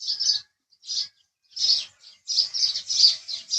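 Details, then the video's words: Short house sparrow chirps: a double note, a lone chirp, a pause, then a quicker run of four or five bright, scratchy notes. "house Sparrow Chirping Sound"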